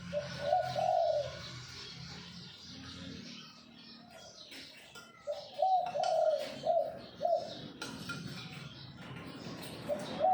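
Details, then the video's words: Bangkok-type zebra dove (perkutut) giving "kuk 2x" cooing: a trilled coo early on, then after a quiet stretch a run of four or five short rolling coos, one more at the end, amid rustling, thumps and low background noise. "BURUNG PERKUTUT BANGKOK KUK 2X"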